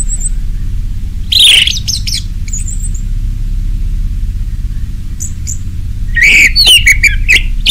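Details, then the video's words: Orange-headed thrush singing in 'ngeplong' style to spur caged birds: a loud falling whistle burst, faint high notes, then after a pause a second outburst of slurred whistles and clicks. "Anis merah ngeplong, Pancingan Anis merah di jamin teler"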